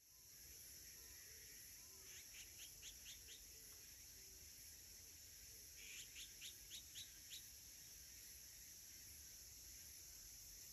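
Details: Azure-winged magpie on 27 August 2021 giving two quick bursts of about six short, harsh notes, each run lasting just over a second, over a steady high insect drone.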